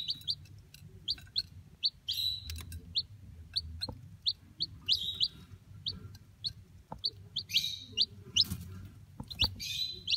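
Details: Two tiny chicks hatched in an electric incubator, kept warm in a small cage: thin, high peeps repeated about twice a second, some louder drawn-out chirps among them, over a low background hum.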